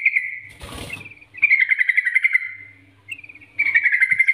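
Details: Yellow-vented bulbul in a vigorous NGGARUDA-style master song for training, meant to prompt other bulbuls to sing: rapid trilled chattering phrases near one pitch, separated by pauses, with a brief rustling burst and a low steady hum.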